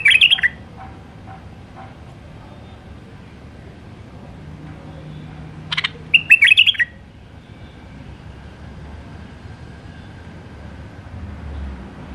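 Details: A wild White-eared bulbul sings in the Alwazi style. A clipped warble opens, then a long quiet gap. About six seconds in comes a sharp note and a full bubbling phrase of quick whistles.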